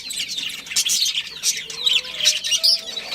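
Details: Chirping budgerigars from a colony with a breeding pair: rapid squeaky twitters and buzzy notes in quick bursts, many birds overlapping, with a faint thin whistle underneath.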